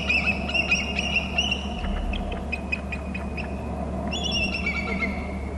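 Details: Bald eagle at its nest and territory on Hornby Island, caught by a nest camera: high, thin chattering notes in fast runs, then a pause and another bright squealing burst, over a constant low background hum.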